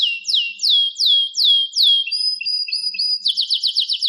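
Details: Singing canary gives a series of loud down-slurred whistled notes about every third of a second, then steady flat tones and finishes with a quick run of sharp repeated chips.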